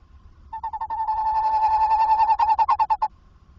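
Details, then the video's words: A tawny owl calls in a nest box at 21:45 on 27 August 2024, calling as it enters during a brief visit before leaving. It gives a wavering, tremulous trill on one mid pitch for about 2.5 seconds over a faint hum. "Bosuil Roepend in de nestkast"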